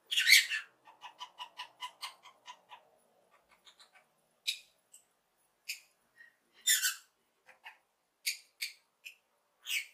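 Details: A pet lovebird chirps happily, opening with a shrill screech and a quick run of clicking chirps, then softer ticks followed by spaced harsh squawks and high squeaks.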